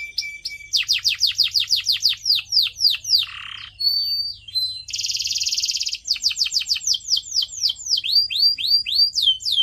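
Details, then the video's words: Canary singing, recorded for pet birds to hear and learn from: a lively series of fast, sharply descending chips, a short low buzzy roll, a thin whistle, a dense, even trill, then more rapid swept chips. "CANARY SINGING SOUND"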